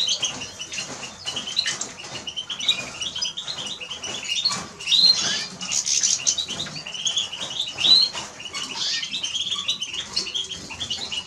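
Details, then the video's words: Eurasian siskin song: a dense, high twittering stream of rapid chirps and trills, with louder bright notes near five and eight seconds and scattered sharp clicks and flutters throughout. "Eurasian siskin Song -Spinus Spinus -Scatiu"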